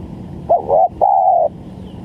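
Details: Single spotted dove phrase from a lure recording for trapping: a quick wavering double coo, then one long, even, low coo lasting half a second.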